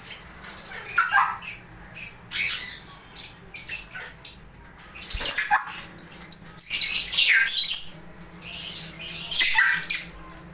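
Swainson's lorikeets give harsh, grating screeches in short bursts every second or two, with louder shrill clusters toward the end. A faint low hum runs underneath.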